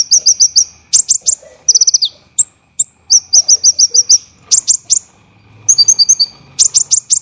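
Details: Dense, rough olive-backed sunbird song recorded as songbird training material: fast high bursts of five to eight sharp repeated notes, a few descending trills and thin whistled notes, with short gaps between phrases.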